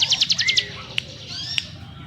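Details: Mountain prinia (ciblek gunung) singing in the ngebrem style: a short burst of rapid, sharp, high notes, followed by faint sparse chips and isolated clicks.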